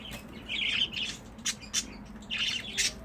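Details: Pet budgerigars warbling in quick, buzzy, wavering phrases mixed with short clicks and chirps, rising and falling in bursts over a faint background hum.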